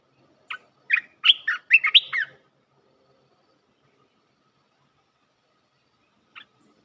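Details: Olive-winged bulbul luring call used as a decoy for trapping wild birds: a short burst of about six bubbly, chirping notes, one isolated chip before it and a single faint note near the end, in otherwise quiet surroundings.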